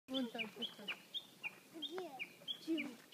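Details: Birdsong recorded in April: sharp chirps near the top of the range repeat about twice a second, mixed with lower, rounder warbling and clucking-like notes from other birds beneath.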